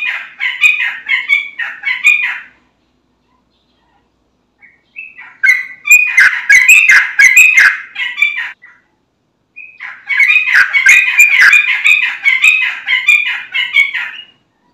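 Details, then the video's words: Yellow-vented bulbul in vigorous song, played to make other bulbuls reply: three separate bouts of fast, jumbled warbling, each several seconds long, split by pauses of two seconds or so. "Trucukan Bahan, Ombyokan Langsung Nyaut Dengar Suara Trucukan Gacor ini"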